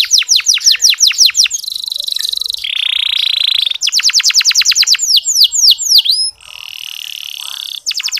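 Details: Canary in fine 'ngeriwik' song, meant to lure listless males into singing: runs of quick sweeping chirps broken by buzzy, rattling and rolled passages, varied and continuous over eight seconds.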